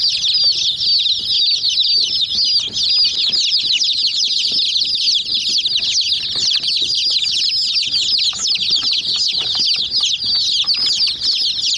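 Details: Dozens of overlapping piping calls from hen chicks pecking at a white toy jeep, an unbroken high-pitched twittering mass with light pecking taps scattered throughout.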